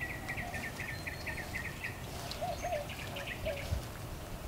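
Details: Mockingbird in a back yard delivering a quick run of about eight identical chips, then softer repeated notes, over a steady rumbling background.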